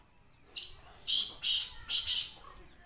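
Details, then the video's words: Kala teetar (black francolin) calling: a faint short note, then four harsh, raspy bursts grouped as two pairs, softer and set against a low background hum. "black francolin voice ll کالا تیتر ll kala teetar"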